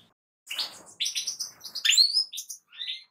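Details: A short burst of European goldfinch song: a quick string of high, metallic chirps and liquid upslurs, preceded by a half-second of silence.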